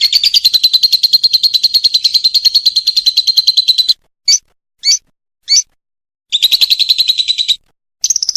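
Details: Contest-ready lovebird on a training recording: four seconds of fast, steady, high trilling chatter, then three short separate chirps, another trilled burst and a final buzzy fragment.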